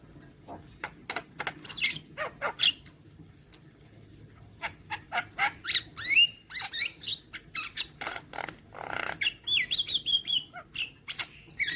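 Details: Young Javan myna in a training recording played every morning to make birds sing readily and bob their heads: dry clicks and harsh notes in quick bursts, mixed with short whistled, rising and falling phrases.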